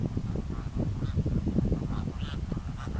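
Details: Greater flamingos honking closely in a group: quick, deep, goose-like nasal calls tumbling over one another, with a few brighter, higher honks cutting through.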